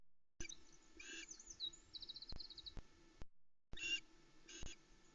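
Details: Excited Osprey chicks at Loch Arkaig, 16 July 2020, calling out as the male brings a whole trout, the first fish since midday the day before. Harsh, broad squeals come in bursts, with a thin run of rapid high notes between them.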